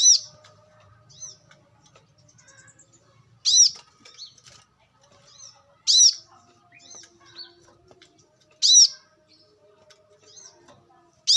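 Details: Brown-throated sunbird recorded in the wild, used as a lure sound: sharp high chirps with arching overtones repeated roughly every two to three seconds, with faint softer notes between them.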